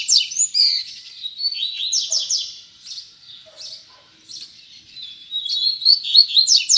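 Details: Double-collared seedeater (coleiro), a kept songbird singing the "tui tui zel zel" song style, encouraged alongside other birds: bursts of sharp, high whistled and buzzy notes in quick phrases, with a quieter pause midway, then a strong return.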